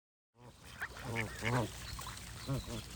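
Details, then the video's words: Geese calling after a brief silence: a run of arched, nasal honks in quick succession, rising then falling in pitch, with a steady low hum and background rustle underneath. "Goose & Birds Sound Effects for Relaxation"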